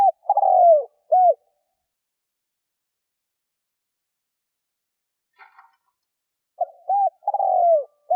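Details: Spotted dove cooing as a lure to attract wild doves: a low double note and a drawn-out descending coo open the recording, a long quiet stretch with a faint brief rustle follows, then the same coo phrase returns.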